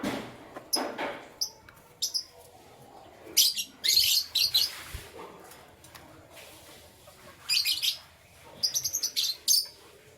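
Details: Morning canary chirping in scattered high bursts, including a fast stuttering series of short notes near the end, with brief bumps and rustles between.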